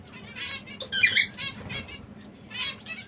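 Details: Brown, red and yellow canaries in a cage making a few quick, bright chirping notes, one louder burst near the start, over faint rustling and a soft low background hum.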